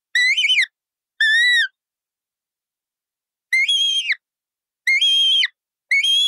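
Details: Colourful parrot calling with five bright, harmonic whistles in two groups; most are flat and end with a falling twist.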